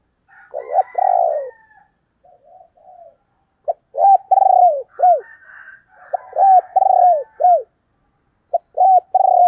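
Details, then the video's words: Female spotted dove in the 'thổ đồng' voice style, played to lure wild males: repeated phrases of low, hooting coos, each ending in short arched notes, separated by pauses of about a second, with faint softer hoots between phrases. "tiếng cu mái"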